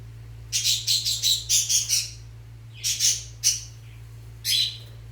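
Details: Fischer's lovebirds, mating and readying the nest, utter a rapid series of about eight harsh high chirps, then scattered single squawks after a pause, with a faint low hum behind.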